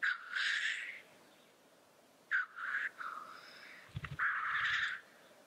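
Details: Black grouse lekking at the lek: loud hoarse hissing bursts, each about a second long, sounded three times with short gaps, with brief low thumps between them.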